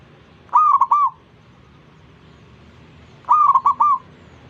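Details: Zebra dove singing to draw other zebra doves into song: two loud, bubbling phrases of three to four quick, rolling coos, about three seconds apart, over a quiet, low background hum.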